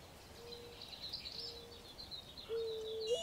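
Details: Mourning dove feeding its young, giving three soft, low, level hoots about a second apart, the last longer and lifting at the end, over faint high chirping from other birds.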